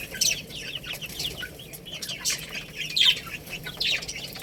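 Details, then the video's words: Little chicks eating rice, bright high chirps coming in uneven clusters roughly once a second, several birds overlapping, with faint clicks and low hum. "Beautiful Little Chicks Chirping Sounds"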